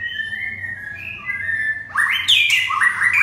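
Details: Red-whiskered bulbul holding drawn-out level whistles, then bursting into louder, fuller warbling notes that step up and down over the last second, with a faint low hum behind.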